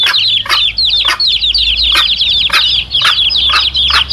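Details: A brood of chicks with the mother hen, intended as a lure for wild junglefowl cocks: rising and falling high cheeps overlap constantly, with short percussive clucks spaced about half a second apart and a soft low rumble.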